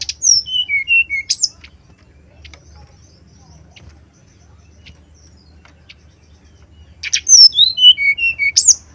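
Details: Male brown-chested jungle flycatcher singing, a lure song to provoke rivals: two bursts of clear descending whistled notes, each ending in a sharp rising upslur, separated by about five seconds of near silence.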